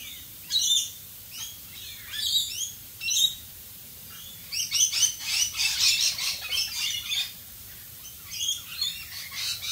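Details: Australian rainbow lorikeets during rain, sharp separate high chirps at first, then a rapid run of screechy chatter around five to seven seconds, then sparse notes.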